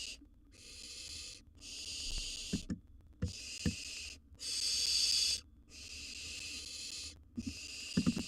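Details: Baby barn owl, wild, at a research-monitored nest box with a gerbil: six drawn-out, harsh hisses of about a second each with short gaps, accompanied by occasional soft knocks.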